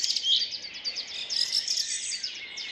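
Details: Bird song in an urban park in Rheine, Germany, early morning in May 2011, multitrack recording: dense overlapping high chirps and twittering from several birds, continuous chorus with no pause.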